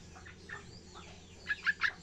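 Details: Young yellow-vented bulbul learning to sing: faint scattered chirps, then three short, loud, bubbly notes in quick succession near the end over a steady low hum.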